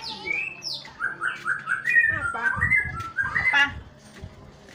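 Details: White-rumped shama song in the morning: a descending series of short whistled notes, then warbled slurred phrases, with low thumping knocks and background noise mixed in during the middle.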